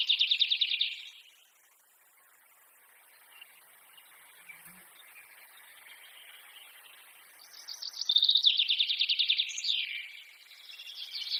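Forest birds singing: rapid, high, twittering trills in two bursts, one at the start and a longer one near the end, with a quiet gap between.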